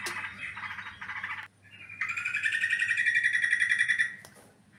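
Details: Lure calls of a sooty-headed bulbul for trapping: scratchy chattering first, then a sustained bright, warbling run of bubbly notes that rises slightly before fading, with faint background hum.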